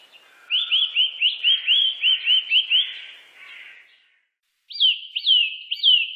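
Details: Eurasian nuthatch delivering a fast run of about ten short rising whistles, roughly four per second. After a pause come three louder notes that start high and slide downward.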